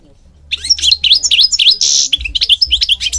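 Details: European goldfinch song as a continuous flow of quick, bright twittering notes with a harsh buzzy rattle midway, followed by rapid liquid chirps; a low rumble sits underneath.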